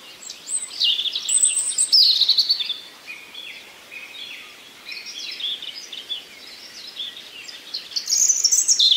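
A common nightingale sings a rich, varied song of high whistles and fast repeated chips, pausing between phrases. Faint forest background noise is heard.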